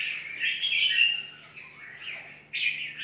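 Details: Red-whiskered bulbul in a large breeding aviary in Phetchaburi, Thailand, giving bright, bubbling whistled phrases, a longer warble followed by a short burst, over a faint steady low hum.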